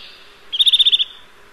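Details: Eurasian nuthatch giving a single short, high trill of about seven rapid, evenly spaced piping notes, over in half a second, against a quiet background with a faint low hum.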